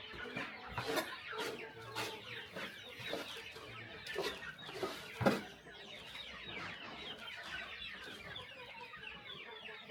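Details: Farm chickens at a quiet morning feed in the countryside: many overlapping high peeps and clucks, punctuated by sharp pecking or knocking thuds roughly every second.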